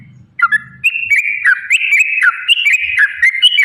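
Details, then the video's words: Sooty-headed bulbul, lively 'ropel' song used to coax caged birds into singing: bright whistled notes leaping up and down in quick succession, with a faint low rumble at the start. "trucukan gacor TARUNG ROPEL PANJANG pancingan trucukan agar bunyi jadikan burung trucuk gacor EMOSI"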